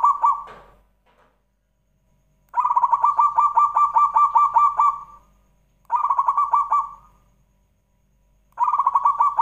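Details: Zebra dove singing, played as a lure to draw song from other doves; repeated phrases of quick, stuttering coos, the longest about a second and a half of rapid pulses, recurring every few seconds, with a short scratchy note at the start.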